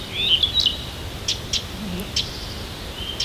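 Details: Siberian songbird singing on a morning near Tomsk: a brief high twittering phrase, then scattered sharp, clicking high notes spaced about a second apart over a quiet background.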